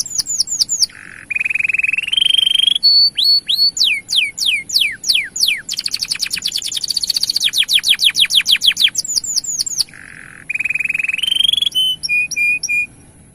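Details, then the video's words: Male canary song meant to stimulate other male canaries to sing: loud, varied, high phrases with long rapid trills of repeated down-slurred notes, steady buzzy tones and short whistled notes, continuing without pause. "Asli Gacor Panjang Bikin Menaikan Birahi Kenari Jantan Untuk Buka Suara"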